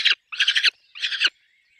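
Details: Peregrine falcon nest with chicks: three harsh, buzzy screeches, the second and third longer and stuttering, followed by a faint thin whistle trailing off.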